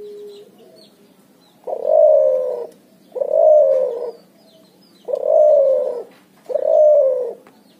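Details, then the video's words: Vigorous ngoar nguku calling of a cuhu, the puter and spotted dove hybrid: four separate loud, falling coos about 1.5 seconds apart, with quiet pauses between them. "suara burung cuhu gacor ngoar nguku hasil silang puterxtekukur"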